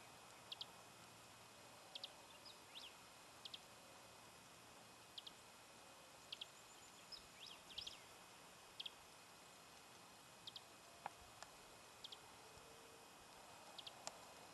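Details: Many-colored Chaco Finch at Villa de Soto, Córdoba, in May 2012, giving thin, high, sharp chip notes, singly or in quick pairs every second or two, over a soft hiss of background noise.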